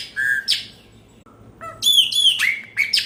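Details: Chopi blackbird giving a bright, rich song: strong whistled notes, a brief low soft note, then a fast run of ringing, harmonic-laden phrases and downward slurs.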